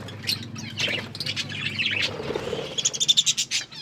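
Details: Budgies eating food and chirping: scattered tweets and warbles, then a fast series of sharp clipped chirps near the end, with soft nibbling sounds and a faint low hum.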